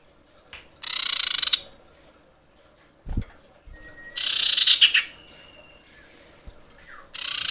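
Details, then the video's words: Female common iora in breeding condition calls to males with loud, buzzy, pulsed rattles spaced about three seconds apart. A brief low thump and faint thin whistles sound between the bursts. "SUARA SIRPU/CIPOH BETINA BIrahi memanggil jantan"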